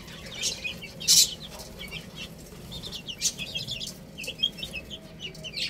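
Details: Young chickens feeding on rice: a chorus of brief high chirps from many chicks, broken by a loud clattering burst near the start and scattered clicks.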